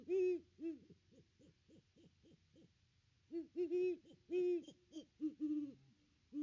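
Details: Great horned owls at the nest tree during a Christmas visit, nest cam: loud deep hoots followed by a quick series of softer hoots, then renewed bursts of doubled and tripled low hoots.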